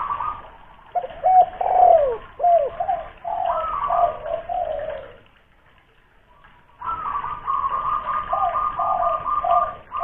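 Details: Spotted dove kept as a big-voiced lure bird in Kuningan, West Java, giving a fast string of short hollow coos, many with a downward hook, then silence, then a long even sequence of repeated coo notes.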